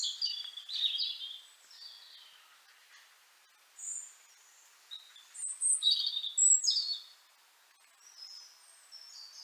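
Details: Singing European robin from Liepāja, Latvia, recorded January 2023: high, varied whistled notes and short warbling runs in irregular phrases, some softer, some louder, with gaps between.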